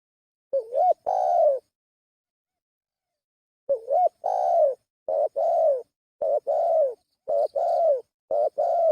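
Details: Spotted dove lure call: low, mellow coos in two-part phrases, a short wavering note followed by a longer drawn-out coo, given in a burst, a pause of about two seconds, then several quick repeats.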